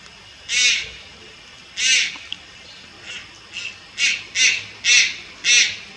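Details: Juvenile Malayan night heron recorded at Lugu on 30 July 2022: eight harsh, hoarse, high rasping calls, two spaced early, then a closer run of four near the end, over a quiet background.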